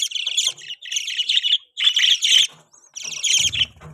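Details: Pet budgerigars chirping: dense bursts of scratchy, warbling chatter, each lasting about half a second to a second, separated by brief pauses, with a faint low thump near the end.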